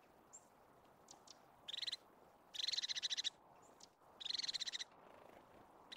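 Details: Crested tit in Scottish Highlands Caledonian pinewood, its natural habitat, giving three short purring trills of rapid high ticking notes, about half a second each, with a few faint thin high notes between them.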